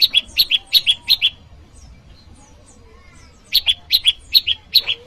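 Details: Rival-summoning call of the Bar-winged prinia, used as lure and training audio: two bursts of about six shrill, evenly spaced chips separated by a quiet pause with faint distant twitters.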